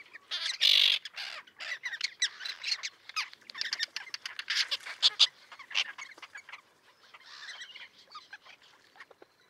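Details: Busy chatter of a small common tern colony with chicks, sited on a concrete block near a mole 1.5 km from the Latvian shore at Liepāja, June 2024: one loud harsh call, then scattered clicks and grating notes fading out.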